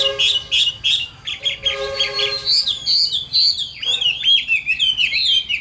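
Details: Caged Chinese hwamei, a wild-caught adult, singing a loud, rich song of rapid, varied whistled notes. Short repeated phrases lead into a long, fluid, warbling run with sweeping rising and falling slurs.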